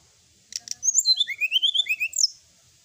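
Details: Sooty-headed bulbul singing at night in a tutor recording full of fill notes: two sharp clicks, then a cascade of thin rising slurred whistles stepping downward in pitch, ending with a high squeaky note.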